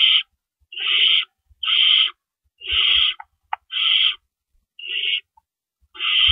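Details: Owls at a nest at night on April 4, 2012, around 4:30 AM, while adults bring in and carry out rabbits; harsh, breathy hissing screeches repeat about once per second in short bursts, with faint low thumps between.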